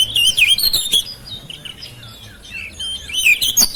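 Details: Oriental magpie-robin (kacer) raised at home, singing to coax mute birds into song; a rapid warbled burst of whistles, faint softer notes, then another loud whistled phrase.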